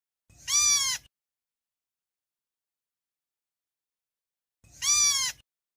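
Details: Héc xoan bird calling its flock: two clear, mewing harmonic notes, each under a second long and steady in pitch, separated by about four seconds of silence.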